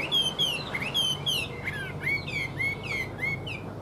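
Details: Tame Chinese hwamei kept in a cage and up for sale, delivering clear, ringing whistled notes, each a short downward slur, repeated several times a second in a lively series.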